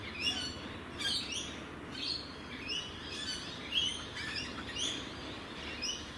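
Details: Rainbow lorikeets from Australia give shrill, clipped chirps and squeaks in quick, irregular bursts, about one per second, some calls overlapping as if from several birds, over constant low outdoor hiss.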